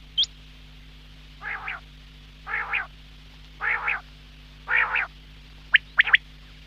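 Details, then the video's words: Quail giving four evenly spaced harsh, nasal, buzzy calls about one second apart, framed by a single high hooked whistle before them and quick sharp clicks after, over a low hum. "Quail Sound , Bater Ki Awaz subbha keliey ,Bedana Ovozi,бедана сайраши,"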